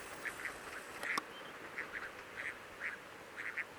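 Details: Crested duck recorded in winter, 18 June, during monitoring at the Coyle River estuary, Santa Cruz, Patagonia, Argentina; short nasal quacking notes come in quick irregular bursts of two or three, with a louder sharp call near the middle.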